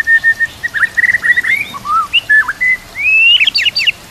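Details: Shama (white-rumped) training song with kapas tembak and cililin canary phrases: a level whistled note series breaks into slurred warbles, a drawn-out rising whistle, and rapid high flicking notes.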